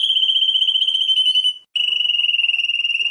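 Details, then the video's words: Championship-winning canary delivering two long, evenly pulsing high rolls separated by a brief breath-like pause. "Canto de canario"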